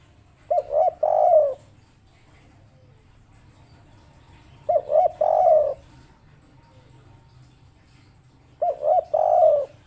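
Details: Local spotted dove, 'kuk 3' type, thought lucky, repeats a short cooing phrase three times about every four seconds. Each phrase is two quick hoots followed by a longer, falling, burry coo.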